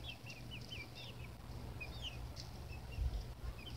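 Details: Baby chicks cheep in short, thin, slurred notes, a dozen or so across a few seconds, quiet against a constant low-pitched hum and a brief thump near the end.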